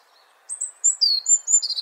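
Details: European robin song fragment: a quick string of very high, pure whistled notes, some sliding downward, ending in a brief buzzy trill.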